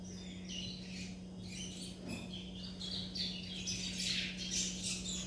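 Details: Young chestnut-bellied seed finches in churrio subsong: fairly continuous scratchy twittering with quick high notes, about two per second, growing denser and louder toward the end, over a constant low hum.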